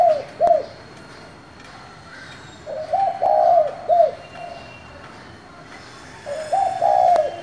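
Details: Spotted dove singing in the thổ voice style, cooing to stir other doves: low mellow phrases of three or four notes, each ending in a clipped falling note, repeated about every three seconds, with faint ticks in the background.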